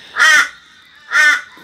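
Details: Crow in Australia giving two harsh, hoarse, nasal caws about a second apart near a wildlife carer's orphaned baby flying fox, which calls back in answer to the crow.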